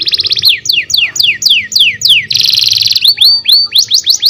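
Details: Canary singing as tutor song for young canaries: loud, clear high whistles sweeping downward, repeated about three times a second, broken by a dense buzzy rattle, then a run of brighter rising-and-falling whistled notes.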